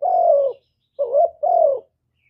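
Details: A spotted dove's 'hap boi' song of calling, urging and cooing, recorded free of background noise: one long falling coo, a pause, then a short rising note and another drawn-out coo.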